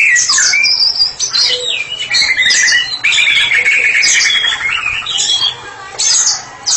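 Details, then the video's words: A white-rumped shama, kept as a therapy bird, sings ngeplong: a loud, rich, unbroken stream of varied whistles, trills and rapid chattering phrases sweeping between high and mid pitches. "Murai batu spesialis terapi sedang ngeplong"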